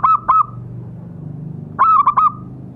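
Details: Perkutut, the zebra dove, calling as a lure to set captive birds calling: two quick paired coo notes, a pause, then a stuttering run of four coos tailing into a level tone.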